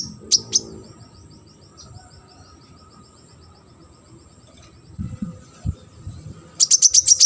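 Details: Sunbird, a competition bird, gives two sharp high notes, then a long fading series of tiny ticking notes, and ends with a fast loud rattle of high clicks; low knocks are heard midway.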